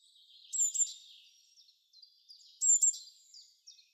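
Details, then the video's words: Songbird singing in a forest in spring to win over females: two loud bursts of high, sharp whistled notes about two seconds apart, each trailing into softer twittering, over a quiet background. "Waldgezwitscher im Frühling"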